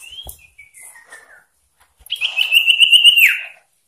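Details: Common iora singing persistently with variations, meant to provoke rival birds: a few soft falling whistles, then a long, loud, pulsing trilled whistle held level and dropping sharply at the end.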